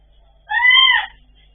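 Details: Pet blue-and-yellow macaws talking: a single loud, clear, arched harmonic utterance lasting about half a second, rising then falling slightly, in a quiet indoor setting.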